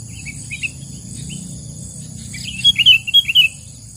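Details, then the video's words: Wild sooty-headed bulbul calling during bird trapping, used as a lure sound: scattered soft chirps, then a quick burst of about six bright, sharp notes near the end, with a faint steady hum behind. "SUARA PIKAT BURUNG KUTILANG DI ALAM"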